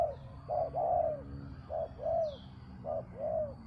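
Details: Spotted dove calling to lure a captive bird down in the art of dove luring. Paired coos, a short note followed by a longer arched one, repeat in three clear phrases. Faint high chirps are heard in the background.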